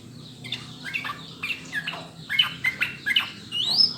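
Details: Trucukan, the yellow-vented bulbul, on a clean practice track used to encourage birds to sing: scattered chirps build into louder bright whistled notes, ending with a rising high sweep.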